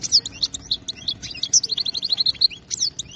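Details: European goldfinch, caught in the wild, with an error-free song. Dense, sparkling twitters and quick chirps form a fast, slightly buzzy series. Soft background hum throughout.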